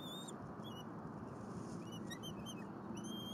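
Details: Bald eagle eaglet in its nest at Berry College, Rome, Georgia, on 10 April 2022, after its father delivers a squirrel. Nest camera. Thin whistled peeps rise and fall in quick, scattered notes over a steady low rumble.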